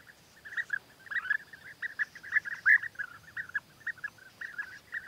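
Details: European bee-eaters during courtship, with the male winning the female's favour by bringing gifts, give rolling, liquid 'prrup' calls in quick overlapping bursts, several birds at once, over a faint steady high hum.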